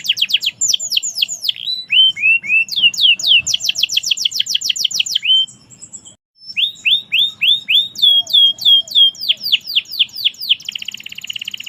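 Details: Canary performing merlok song: dense rattling rolls of high downslurred notes, low slurred whistles, a very fast buzzing trill, a short pause, then more sweeping notes and a shimmering rapid roll at the end.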